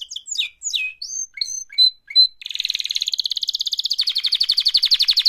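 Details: Canary singing for mating: short sliding chirps and whistles lead into a sustained rapid rolling trill that grows stronger toward the end.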